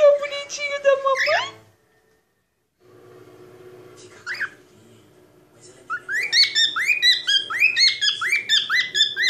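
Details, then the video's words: Pet male cockatiel indoors giving its typical song and noises while spoken to: a harsh buzzy burst, a pause with low hum, one rising whistle, then fast repeated chirpy up-slurred notes about twice a second. "Capitão Rodrigo (calopsita) cantando e fazendo barulhos"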